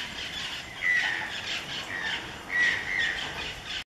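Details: Robust Woodpecker (Campephilus robustus) in a hostel backyard birding spot, giving two harsh, squawky, nasal calls about two seconds apart, fairly high-pitched, over a soft natural background hiss.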